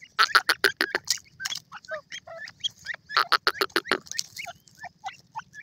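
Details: Canadian grey teetar, a grey francolin, calls in two fast runs of harsh, loud, evenly spaced notes. Between the runs comes a busy background of short twittering chirps from other birds.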